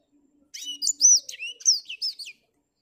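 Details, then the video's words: Black-throated finch, a caged bird singing on an overcast morning, giving a short burst of high, sweet whistled and slurred notes lasting under two seconds, with a faint low hum underneath. "Blackthrout Ngoceh di pagi yang mendung"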